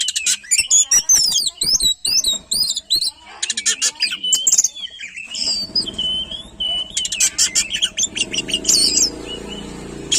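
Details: Oriental magpie-robin, said to set other magpie-robins singing, pouring out rapid varied song of high whistles, twisting notes and harsh buzzy bursts, with sharp clicks and a low background hum in the second half.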